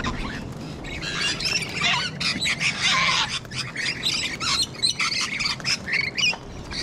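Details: Wild parrots in Sydney, Australia, sulphur-crested cockatoos among rainbow lorikeets: loud grating screeches and shrill chatter in rapid uneven bursts from several birds, louder around the middle.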